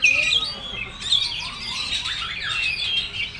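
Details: Oriental magpie-robin, called kacer, singing full materi: a clear high whistle opens, followed by a blurred, continuous mix of chattering and scratchy notes.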